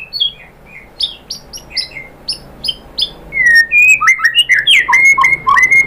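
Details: White-rumped shama song used as a lure to make a bird reply: soft spaced double chirps give way to loud, varied, fluty whistles and quick rising and falling slurs.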